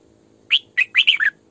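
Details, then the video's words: Decoy female red-whiskered bulbul singing a 'sổ bọng căng' phrase. Five clear, liquid, slurred notes follow one another quickly, the last ones dropping in pitch, against a quiet background. "Tiếng Chim Chào Mào Mồi Hót Sổ Bọng Căng"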